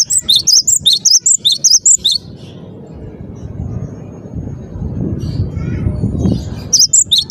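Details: Cinereous tit in full song: a brisk sequence of high, sharp whistled notes alternating up and down for two seconds, followed by several seconds of low rumbling background noise, and a short return of whistles at the end.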